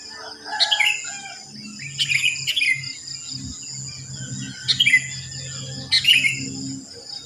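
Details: After dawn in a housing complex with many sooty-headed bulbuls; short sharp descending chirp phrases repeated about four times at intervals of one to two seconds, over a steady high hum and a low engine-like drone.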